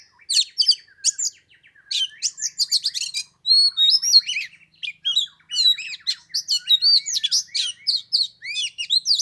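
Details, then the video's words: Oriental magpie-robin on the third day of Tet, around 15 degrees, singing vigorously: scratchy rasping notes interwoven with clear whistled upslurs, nearly nonstop throughout. "Chòe than mùng 3 tết cái lạnh 15 độ chơi 1 tiếng chim k xuống đánh"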